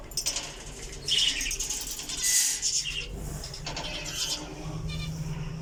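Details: Java sparrow giving short, high chirping notes in quick irregular bursts, some sharp and piping, over a low steady background hum.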